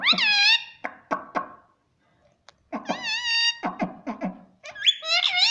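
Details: Pet parrot talking: bright nasal harmonic phrases broken by rapid clicking beats, a short pause, then more warbled syllables and a rising squeaky note, in a quiet room.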